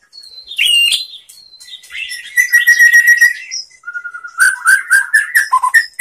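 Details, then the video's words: Song of a White-rumped shama used to train other shamas to sing: varied whistles, chirps and trills in fast, irregular phrases, with brief pauses between. "SUARA MURAI BATU bikin GACOR BONGKAR ISIAN ¦ MASTERAN MURAI ¦ SHAMA BIRD"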